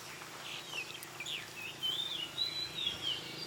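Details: Bird singing in forest near Phu Sing, Sisaket, Thailand: thin whistled phrases sliding up and down, with longer wavering whistles in the second half, over a steady high insect hiss.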